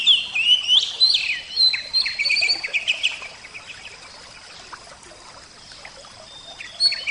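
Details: Oriental magpie-robin, kacer, singing: a burst of sharp, rising and falling whistled notes in the first three seconds, then a quiet stretch with a faint steady hiss, and a brief phrase returning at the end.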